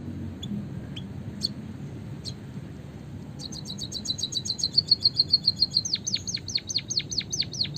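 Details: Eurasian tree sparrow recording used as a trapping lure: a few scattered high chirps, then a fast run of thin high notes becoming loud, sharply down-slurred whistles repeated about twice a second, over low steady background noise.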